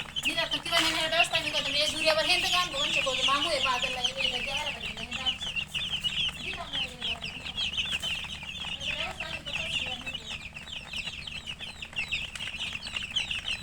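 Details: Murgi chicks chirping nonstop, a busy chorus of high rapid peeps, with lower rippling calls from an adult chicken in the first few seconds and again briefly later.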